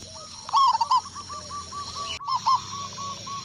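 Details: Local zebra dove, Indonesia, singing back to a lure: a strong trilled coo phrase early, then a shorter burst after a brief break, set against soft repeated background coos.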